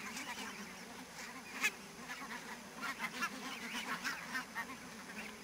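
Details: Barnacle geese in fog, Niittylahti, Savonlinna, 2 October 2011: distant scattered yelping honks, one louder call near the start, with a steady low hum running underneath.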